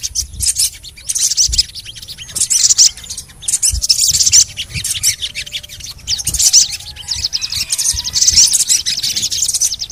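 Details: Little spiderhunter (sogon) calls used as a lure recording: dense, rapid high-pitched chirps and buzzy rattles in repeated bursts, with some fainter whistled notes underneath.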